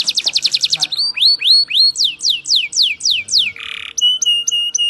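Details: Canary song used to prompt caged canaries to sing: a rapid trill, then looping upslurred whistles, steep downward sweeps, a brief harsh buzzy note, and evenly spaced sharp chips at the end.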